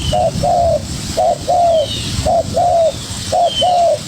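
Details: A young spotted dove duelling vocally with a decoy. Three paired coos, each a short low hoot then a longer bending note, repeat about every second. Faint sliding whistles of other birds sit behind them, with rumbling background noise.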